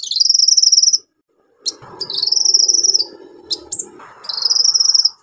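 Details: Orange-headed thrush song used as a lure to prompt silent birds: three long, buzzy, insect-like high trills, each about a second, separated by pauses, with a few short notes and some low rumbling between.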